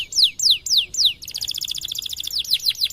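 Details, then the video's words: White canary singing a tutor song: four slow, loud descending whistled sweeps, then a rapid buzzy trill of tightly packed notes ending in more falling whistles. "Kenari Putih Gacor Cengkok Keren Untuk Masteran || best canary singing"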